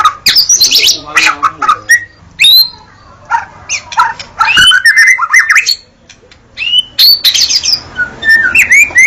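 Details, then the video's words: Varied White-rumped shama song with fast bursts of high chirps and squeaky notes, rising whistled slurs and sharp clicks in phrases broken by short pauses. "suara murai batu"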